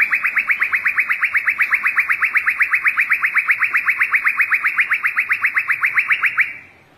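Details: Young white-rumped shama in forest-voice training song, a long steady rattling trill of around four bright pulses each second that runs unbroken for over six seconds, then stops.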